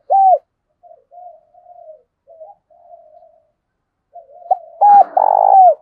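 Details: Spotted dove coo for stirring decoy birds. The clip opens with one loud arched note, then quiet drawn-out murmurs. It ends with a flick note, a hooked coo and a long harsh buzzy coo that falls away.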